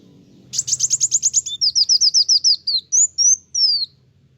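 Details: High-energy kolibri wulung sunbird song that stirs other birds: a rapid burst of sharp high notes changing into a run of descending slurred whistles and three longer, thin falling whistles.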